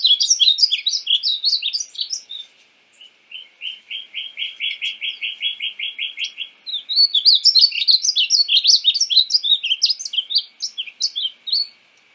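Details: {'text': 'Painted bunting (Passerina ciris): a busy high warble, then a long, even trill of repeated identical notes, followed by an extended dense run of bright jumbled twitters.'}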